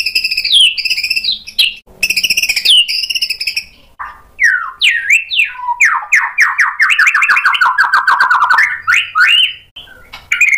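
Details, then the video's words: White-rumped shama, provoked into singing: looping wavering high whistles, then rapid sweeping downslurred notes repeated in a fast, buzzy chattering run of rising intensity. "PANCINGAN MURAI BATU BIKIN EMOSI JADI NYAUT GACOR BONGKAR MATERI ISIAN | SHAMA BIRD"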